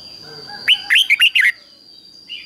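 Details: Decoy red-whiskered bulbul calling to lure wild birds: one lively phrase of five slurred, fluty whistles, then a brief soft note at the end, over a thin steady whine.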